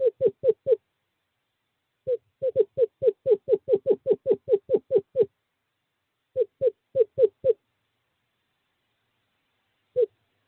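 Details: Male screech owl inviting a female to the owl box, courting season, 2/11/2023. Bursts of quick, soft hooting notes: four, then a long run of about fifteen, then five, and one last note.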